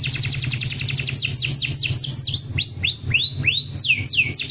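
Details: Canary champion masteran song: a brisk run of rapid high down-slurred notes breaking into slower, loud hooked whistles that swoop down then level, over a constant low background hum.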